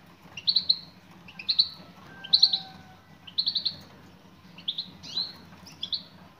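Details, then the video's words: Female European goldfinch calling for a male, giving bright, high chirps in short bursts of two or three notes, repeated roughly once a second with quiet gaps, over a faint low hum. "بتبتات أنثى مقنين"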